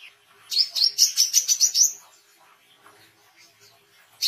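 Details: Oriental white-eye singing for training songbirds and luring wild birds: a rapid series of about nine high, bright chirps over one and a half seconds, then quiet with faint background sounds and one last chirp.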